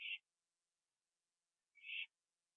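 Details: Night scene from 21 September 2011, 11:15 PM: an owl with a gopher on a porch. Two short harsh breathy screeches spaced about one and three-quarter seconds apart.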